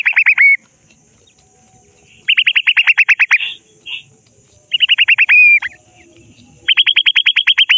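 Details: Francolin (jungli teetar) with chicks, playing in mud, giving loud bursts of a dozen quick, high, clipped notes, sometimes ending in a drawn-out note; each burst lasts about a second and repeats every two seconds or so.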